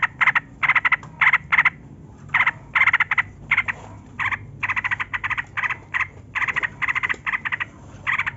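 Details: Energetic long-rolling song of a yellow-vented bulbul, used to lure captive bulbuls into song. Dense clusters of bubbly chattering notes come in quick runs separated by short pauses.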